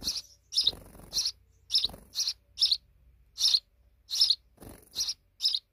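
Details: Sparrows nesting deep in a wall chirp in short, bright notes, about one every half second, irregularly spaced, with faint low thumps in between.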